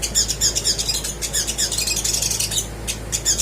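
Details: Little spiderhunter in fast chattering song, used to prompt quiet birds: high, sharp notes repeated several times a second in uneven bursts over a faint low hum.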